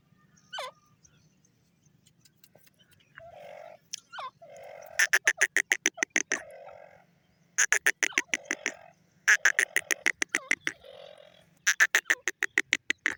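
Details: Grey francolin calling in long, rapid trains of harsh, clicking, rattling notes, several a second. Softer nasal phrases and a few descending ringing notes fall between the trains, over a faint low hum.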